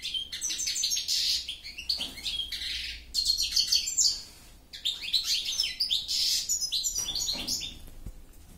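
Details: A goldfinch pours out a rambling song of fast twitters, buzzy rattles and ringing high notes in long phrases, with a few short breaks.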